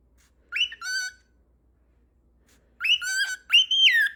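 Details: Cockatiel whistling: a rising note followed by a steady tone, a silence of about a second and a half, then two more rising-then-level whistled phrases, loud and clear against a quiet indoor background.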